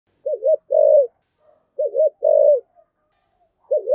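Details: Spotted dove kept as a decoy bird, singing in the local "giọng thổ" voice style. Low cooing phrases: a wavering double note followed by a longer, steady coo. The phrase repeats after a pause of about a second.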